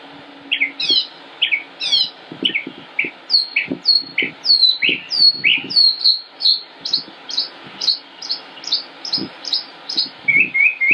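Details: Singing northern mockingbird recorded in Concord, North Carolina, United States, May 2016: varied song switching among phrase types, with repeated downslurred high notes about twice a second and faint lower knocking sounds underneath.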